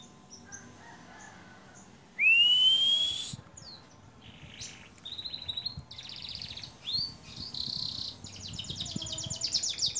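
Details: Canary in a long training recording for songbirds gives a loud rising whistled slur, then buzzy and chattering phrases that build into a fast rattling trill toward the end.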